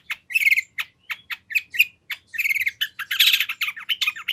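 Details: Long-tailed shrike song full of imitated fill-ins, used to lure a rival into answering: harsh chattering bursts mixed with short whistled and scratchy notes in an uneven, varied sequence, clean recording.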